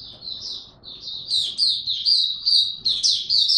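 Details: Caged Oriental white-eye in song training gives rapid, high, sweet twittering, notes rising and falling in quick succession and growing louder partway through, with little else audible.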